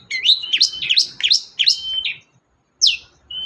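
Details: Long-tailed shrike song meant to make a silent shrike sing: fast series of rising, looping whistled notes about four per second, a short gap, then a sharp downward swoop and a level whistle.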